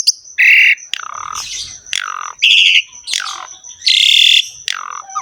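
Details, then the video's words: Harsh ngerek phrases from a Javan pied starling, with loud raspy buzzing blasts alternating with lower, downslurred grating notes, each about half a second long, and a steady faint high tone throughout. "BURUNG JALAK SUREN GACOR NGEREK ISTIMEWA"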